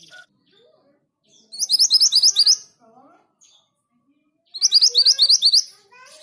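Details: Orange minivet, known locally as sepah hutan or mantenan gunung, in vigorous song: two bursts of rapid, high, sharply rising whistled notes, about ten notes each, separated by a few seconds of faint softer chirps.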